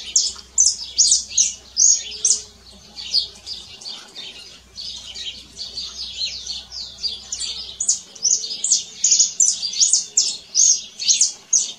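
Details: Canary song outdoors: lively, rapid high trills and chirped phrases repeated about twice a second, fluctuating in loudness, over a soft low background hum.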